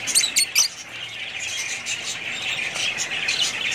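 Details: Three quick, loud chirps open a steady stream of busy budgie chatter, high and warbling, continuing without a break.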